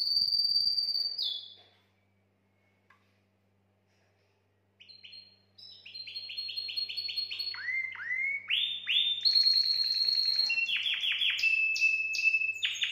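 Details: Mating song of a canary, used to stimulate females: a high whistle, a brief pause near silence, then rapid rolling trills, repeated curved swoops and sustained pure notes growing steadily louder.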